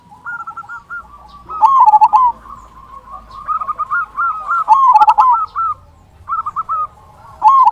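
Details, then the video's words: Loud "kung" singing from a local zebra dove, played as a lure to stimulate other zebra doves; quick, bubbling low coo notes come in several surges over a background of gentler rolling coos. "Perkutut Lokal Gacor Suara Kung Besar Pancingan Burung Perkutut Agar Bunyi"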